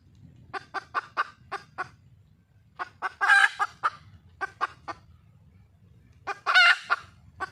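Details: Wild junglefowl hen seeking a male: groups of short clucks alternating with two loud, rough squawks, in an uneven rhythm with quiet gaps between bursts.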